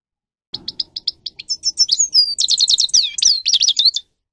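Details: A string of quick repeated chips leads a grey-crowned goldfinch into a rich, tumbling twitter of descending slurred whistles and ringing notes, used to stimulate birds to sing.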